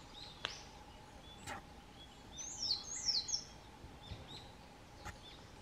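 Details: Mount Rokko, Hyogo, Japan, spring 2020: a Narcissus flycatcher gives two loud, high whistled notes that slide downward in quick succession. Soft distant chirps and a few sharp clicks come before and after.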